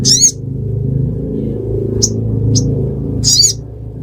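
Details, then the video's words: Sunbird of the ruby-cheeked kind, Pidie, Aceh: sparse high chirps open and close the clip, with two tiny ticking notes between them. A continuous low rumbling hum sits behind the bird throughout. "Burung Sogon Suara Durasi Panjang"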